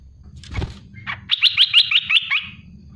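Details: After a thump and one lower note, an olive-winged bulbul (merbah belukar, cucak lumut) fires a quick 'tembakan' run of roughly seven bright, clipped notes over one second, trailing off softly.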